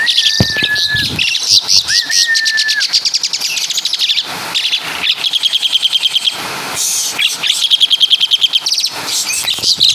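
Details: Asian pied starling of Javan origin singing a song full of imitations of caladi and kapas tembak calls: two long flat whistles, then dense rapid high trills and chattering notes, about 150 per minute.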